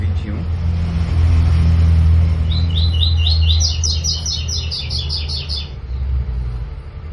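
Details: Double-collared seedeater (coleiro) song recorded 9 September 2021 for teaching young birds: a quick run of about a dozen bright, clipped notes stepping upward in pitch, over heavy traffic rumble.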